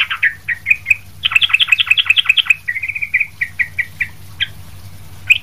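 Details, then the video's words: Sooty-headed bulbul, noisy, vigorous song meant to teach other bulbuls: a few bubbly notes, then a fast rolling chatter, slowing into spaced single whistled notes. "trucuk ribut gacor buat masteran trucuk lain"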